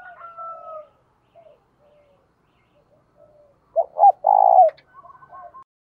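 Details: Spotted dove decoy bird calling to lure wild doves: soft trailing coos, then one loud rhythmic phrase of a short note, a clipped double hoot and a long rolled coo, followed by quieter murmuring notes.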